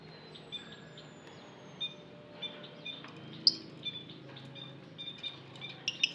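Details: Lovebird in an aviary giving short, high chirps at irregular intervals over a low murmur of quieter twittering.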